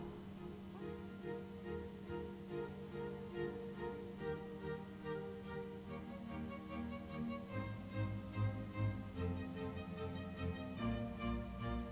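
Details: Bowed strings play a steady, low orchestral passage throughout, with no animal calls heard.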